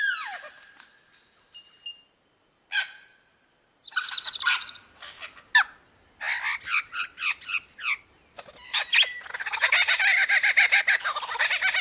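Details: Superb lyrebird, the bird of a thousand voices, in a varied run of mimicry: a low whistle and scattered chirps, then dense bursts of sharp high notes, ending in a rapid, sustained chattering trill.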